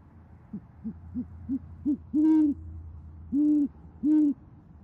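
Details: On an Oklahoma City nest camera at dusk in January 2014, great horned owls exchange hoots as the female calls the male in. Five short soft hoots build up, followed by three long, loud, deep hoots.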